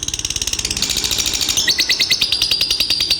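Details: Lovebird giving its long ngekek trill: a fast, steady, high chattering stream of pulses, about ten per second, shifting slightly lower midway and continuing unbroken to the end.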